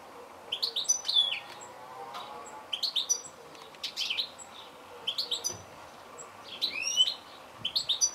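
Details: Goldfinch calls in twittering bursts of quick, bright chirps and upward slurs, broken by short pauses, over low background hiss.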